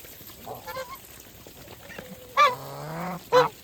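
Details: Farm geese calling while eating: two loud, harsh honks about a second apart, with softer nasal notes and a long low drawn-out call before them, over faint background noise.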